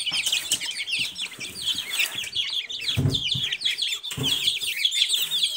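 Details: Silkie chicken chicks peeping in a busy chorus of short, high, downslurred cheeps, with occasional low thuds and shuffling noises.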